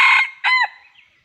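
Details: End of a red junglefowl crow during wild junglefowl trapping: a fading harsh phrase, then a short, bent final note trailing away into quiet.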